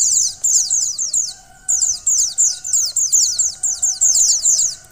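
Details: Female white-eye call meant to excite a male: a near-continuous stream of quick, high, downslurred chirps in long rattling runs, with one brief gap, over a soft, constant low hum.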